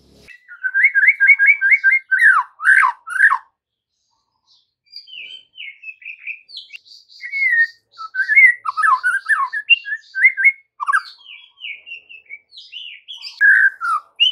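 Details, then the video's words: White-rumped shama song played as an afternoon lure for young and juvenile birds to answer: rapid repeated chirping notes at first, then varied clear whistled phrases, some rising, some falling, with brief pauses between bursts. "PANCINGAN MURAI BATU SORE HARI UNTUK TROTOL DAN PASTOL, AGAR MURAI NYAUT GACOR"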